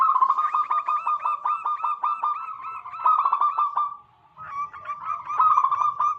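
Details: ['Local wild zebra doves sing as a lure to attract wild doves. Loud, rapid, evenly repeated coos form a continuous chorus. It breaks briefly, then resumes.']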